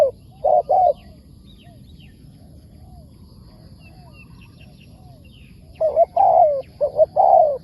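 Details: Wild spotted dove responding to a decoy bird: a pair of soft coos at the start, a long quiet gap with faint distant twittering birds, then a fuller run of short and long coos.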